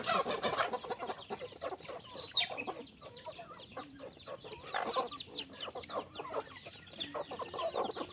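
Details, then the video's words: Small chickens peeping in a crowd: soft, high, scattered chirps, with one loud, sharp squeak standing out early on. "Cute Little Chicken Sounds"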